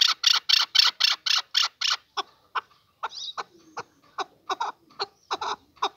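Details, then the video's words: Male chukar partridge giving an evenly spaced series of seven loud, rasping chuk notes, about four per second, followed by a looser run of shorter, varied clucking calls. "Kınalı erkek keklik sesi"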